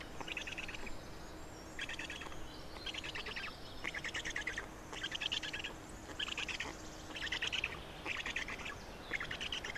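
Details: Black storks feeding at an Estonian nest on 27 May 2019, mid-morning around 10:39; about nine rapid stuttering call bursts, each roughly half a second long, following one another at an uneven pace against a soft background hiss.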